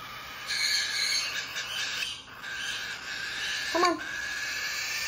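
A baby cockatiel gives a harsh, raspy, continuous begging wheeze while being fed.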